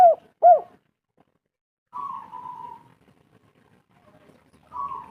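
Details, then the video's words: Local spotted dove used as a lure to prompt other doves to call: two loud, arched, hollow coos in quick succession. A quieter, steady, higher drawn-out tone follows and returns at the end, with silence between. "Tekukur derkuku gacor pol raja pancingan Kuk3 lokal suara merdu"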